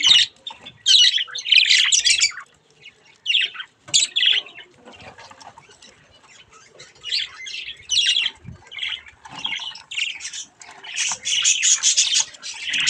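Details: Budgerigar chicks having fun with a mirror: loud, harsh squawking bursts alternate with short pauses and softer scratchy chatter across several seconds.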